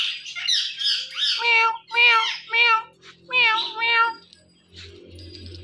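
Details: Indian ringneck parakeet, a talking parrot saying "Mitthu": short clusters of repeated nasal harmonic syllables in three groups, then quiet with a faint low hum.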